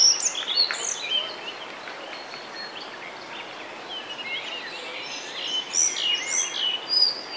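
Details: A male collared flycatcher sings in Bavaria, Germany, in May 2020: high, thin, varied whistles and squeaky phrases in quick bursts, with other small birds chirping over a steady background hiss.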